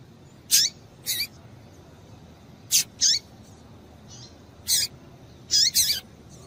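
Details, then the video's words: {'text': 'High clipped chirps from a female double-collared seedeater, given to excite males. They fall in loose pairs, each note sharp and brief with a downward slur, and a softer note comes midway.'} "Piado de Fêmea de Papa capim Para Esquentar Papacapim"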